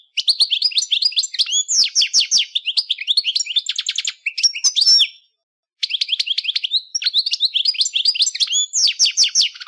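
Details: A goldfinch pours out dense, liquid twitters and jangling trills in two long runs separated by a short gap of silence.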